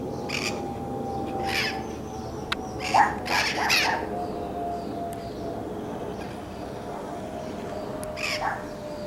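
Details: Wild parrots in Whittier, California, giving harsh, raspy squawks in scattered bursts: a few early, a tight cluster in the middle, and one more near the end, over a steady low hum.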